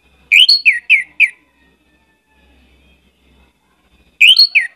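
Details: Orange-headed thrush singing short bursts of four quick sharp whistled notes, a pause of about three seconds, then the phrase begins again.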